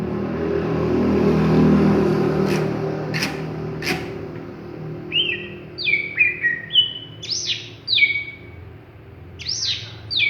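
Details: Greater green leafbird, a raw bird not yet singing fully: a few sharp clicks, then a loose series of short whistled notes at varied pitches, some rising and some falling, over a steady low background hum.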